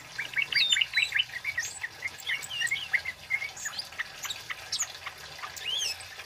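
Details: Male Orange-headed Thrush singing gacor cit keres, loud ngropel ngeplong song for luring and tutoring: busy jumble of varied short chirps and thin rising whistles, some notes slurring high, continuous throughout with light background hiss.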